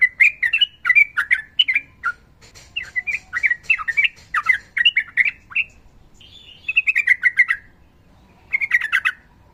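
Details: Rapid 'ropel' singing of a sooty-headed bulbul, a female said to be calling a male: dense bursts of chattering, warbled notes, a short pause, then a falling whistled phrase and a final quick burst.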